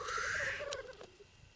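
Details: Black grouse cocks at a lek in the Trans-Urals, rivals fighting: a low, bubbling cooing warble for under a second, then a brief sharp note fading out.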